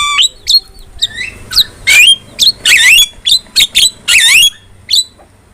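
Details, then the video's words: Javan myna in vigorous masteran (tutor) song: sharp squawks alternating with upslurred whistles and rising, wavering notes in quick bursts separated by short pauses. "MASTERAN JALAK KEBO GACOR"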